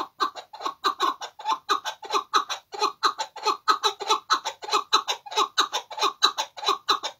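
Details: Chukar partridge singing a long, steady series of clucking chuk notes, repeated about three times a second in rhythmic pulses that hold an even pace throughout.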